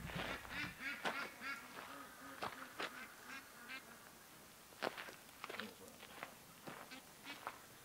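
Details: Free-range ducks give a quick run of about ten short, nasal, harmonic quacks in the first two and a half seconds, then scattered sharp knocks and clicks with a few softer calls near the end.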